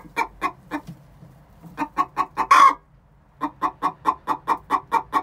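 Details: Pre-laying egg song from two chickens aged six months: quick clucks, a short gap, more clucks rising to one strained squawk, silence, then another rapid cluck series.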